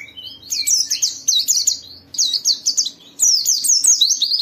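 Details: White-eye song in the Indonesian gacor style, played to spur other white-eyes to sing: fast, high twittering phrases of sharp downslurred chirps, a thin whistle at the start, then three bursts of rapid notes with brief pauses between.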